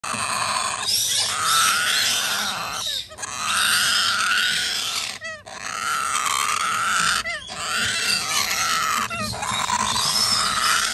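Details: Major Mitchell's cockatoo chick begging: harsh, raspy, drawn-out wheezing calls about two seconds long, repeated back to back with short gaps.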